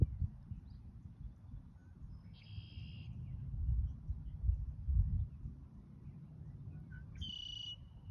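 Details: A red-winged blackbird gives two brief buzzy, trilled song phrases separated by a long pause, set against constant low-pitched environmental rumble.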